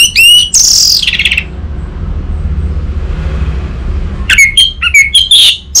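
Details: Caged orange-headed thrush kept in Singaraja, north Bali, Indonesia, used as a song lure for raw birds: a burst of shrill rising notes and a buzzy falling trill, a three-second pause, then varied squeaky chirps.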